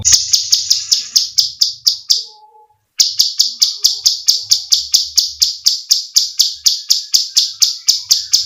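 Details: Cucak cungkok bulbul in a recording of screaming calls for training birds: fast, dry, rasping high notes repeated about four times a second, interrupted by a short silence.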